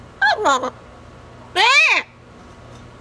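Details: Female double yellow-headed amazon, a household pet on a cage outing, says two quick clipped syllables, then a loud hoarse phrase that rises and falls, as someone says "kiss, hello".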